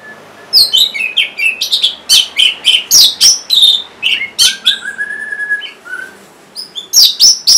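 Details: Orange-headed thrush in song, played to make lazy or stalled caged birds start singing. A dense, fast run of varied sharp whistles and chattering notes, a brief lower whistled pause, then more bright phrases.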